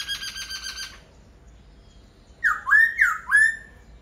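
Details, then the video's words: Laughingthrush song opening with a buzzy pulsed harmonic phrase, a quiet pause, then four rapid bright whistles sliding down and up. "Khướu hót cực hay."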